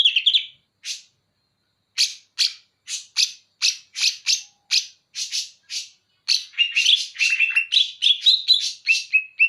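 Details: Greater green leafbird of the Banyuwangi type, singing bearded bulbul (cucak jenggot) imitation material: an opening warbled phrase, then a rapid series of harsh buzzy chattering notes, ending in a denser run with clear whistled tones.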